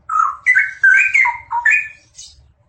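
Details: Vigorous song from a pair of straw-headed bulbuls: a continuous flow of rich, gurgling whistles that climb, dip and rise again, fading out toward the end over a soft low hum.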